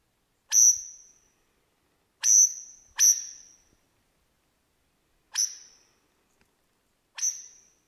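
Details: Mimicking other birds, a wild Superb lyrebird sings in the Australian bush: five loud, high, sharply struck whistles, each decaying quickly, irregularly spaced over eight seconds with two close together, in otherwise quiet surroundings.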